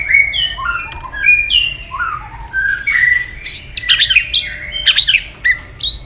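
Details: White-rumped shama female voice used to fire up males for fighting; clear whistled notes slide down and up in short phrases, then dense rapid upswept chips and harsh bursts near the end, little background noise.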